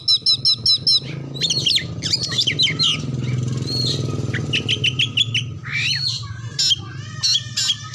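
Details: Oriental magpie-robin song used to prompt other birds to sing, with mimicked phrases: rapid repeated high chirps, then varied whistles and trills, over a steady low engine-like hum.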